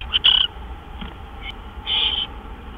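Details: Owl at a nest during nighttime gopher deliveries on March 26, 2013; a brief rough screech at the start, a quiet gap with faint ticks, then a longer, softer breathy hiss.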